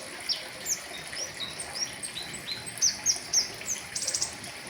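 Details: Caged flowerpecker singing 'riwikan' style with full fillers for tutoring other birds: quick high chirps, short upslurred whistles, and a final fast buzzy trill, delivered rapidly against light background hiss.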